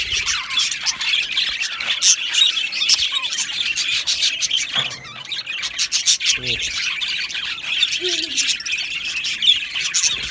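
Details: Australian budgerigar colony in an aviary, steady high chirping and chattering from many birds, with dry rubbing and scraping noises and a brief dip in the chorus midway.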